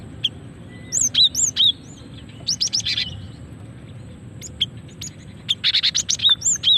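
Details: Cinereous tit female giving lure calls meant to attract males and trigger singing; a few arched whistles, a quick chip rattle, a pause, then a longer fast run of sharp high chips and whistled notes.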